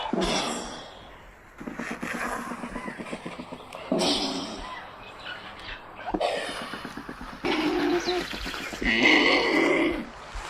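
California condor giving harsh, breathy hisses and low rasping grunts in bursts of a second or two, with brief pauses between them.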